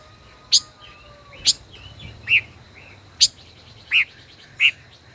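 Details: Five-colored bird, a decoy kept caged for over a year, singing in a duel: sharp bright chips spaced about a second apart, with soft warbling notes between and faint steady tones behind.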